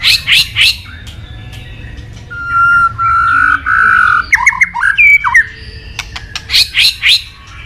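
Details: White-rumped shama, a songbird hobbyists' favourite, mixing harsh chattering bursts with a long steady whistled note, quick slurred whistles, and more grouped chatter at the end.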